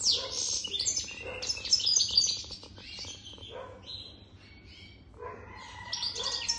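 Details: European goldfinch more than three years old singing: rapid high twittering and tinkling notes in dense bursts, a quieter pause near the middle, then the bright chatter resumes.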